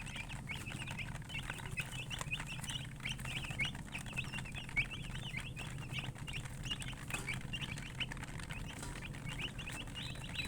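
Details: A flock of chicks with a coloured murgi hen gives constant high-pitched peeping, quick overlapping chirps in bursts, above a persistent low droning hum.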